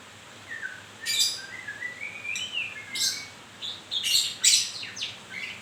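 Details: Moulting white-rumped shama with a gliding whistled phrase that rises then falls, followed by loud rasping bursts and high chips.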